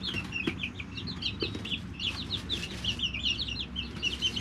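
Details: Flock of three-week-old chicks in a brooder keeps up rapid chains of high downward peeps, nearly continuous, over clicks and a constant low hum.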